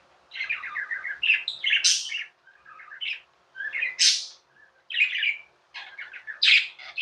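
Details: Chirping from pet budgies, a steady stream of buzzy warbles punctuated by sharp, very high squeaks roughly every two seconds.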